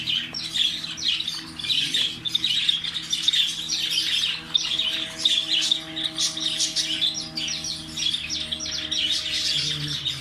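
Parrots chatter continuously in shrill, scratchy chirps and squawks, several birds overlapping with no pause, over a low steady hum.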